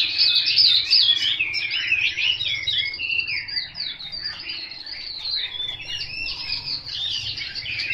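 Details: Chinese hwamei delivering high, bright, rapidly varied warbles and trills, loud at the start and easing slightly, with a faint low hum underneath.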